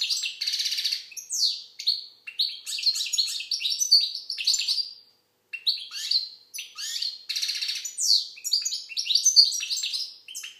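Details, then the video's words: Algerian goldfinch song: fast, dense twittering of buzzy trills, sharp chips and short whistled slurs, delivered in bursts separated by brief pauses, with one near-silent gap midway; no other sounds. "Chardonneret algérienحسون. مقنين"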